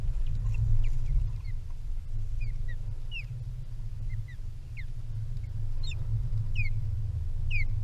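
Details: An osprey at its nest by open water, during a fight between birds of prey over fish, gives short, sharp, falling whistled chirps, about four a second in loose bursts, over a constant low rumble of wind.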